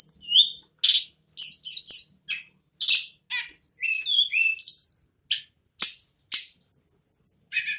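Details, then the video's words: Continuous nagen ngerol song of an ashy tailorbird (tledekan, sulingan gunung): loud high chirps, harsh buzzy bursts and thin whistled slurs packed into quick phrases with small breaks. "Burung Tledekan / Sulingan Gunung Nagen Ngerol Non Stop"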